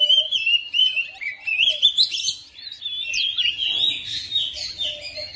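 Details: Oriental magpie-robin kept at home, answering another bird with a steady flow of loud whistled phrases, quick sweeps and scratchy chatter, with hardly a pause.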